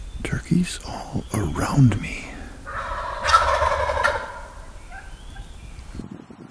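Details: Morning gobble of a wild turkey in Wisconsin woods, one rolling, gargling burst in the middle, preceded by low close-up knocks and handling noise, then quiet.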